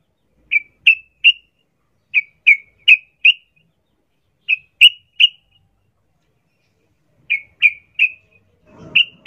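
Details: Sooty-headed bulbul, wild-style 'ngalas ropel' singing used to prompt captive birds to sing: short, clear, high chirped notes in tight groups of three or four, each group separated by about a second of silence.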